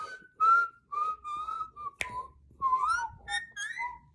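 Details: Pet parrot, molting around the mouth and described as very hormonal, whistles the tune of "Twinkle Twinkle" indoors in a small room: a run of short, clear, sliding notes, several rising, with a sharp click midway and faint background music.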